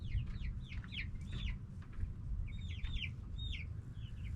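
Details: Noisy backyard hens and roosters; loud high downslurred chirps tumble in rapid clusters, pausing briefly mid-clip before resuming, all over low rumbling background noise.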